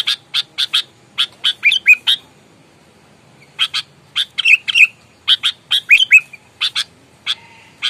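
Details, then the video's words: Aggressive, fighting sooty-headed bulbul: clusters of sharp dry chips and scratchy notes broken by bent whistled slurs, with a pause of over a second between bursts, recorded close and clean. "Kutilang gacor, galak, tarung, full suara alam, bikin emosi lawan"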